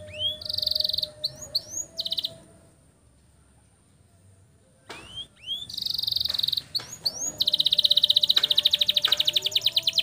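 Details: Canary song used to train young canaries: bursts of high upslurred whistles and buzzy trills separated by a silent pause, ending in a long, fast, evenly repeated rolling trill.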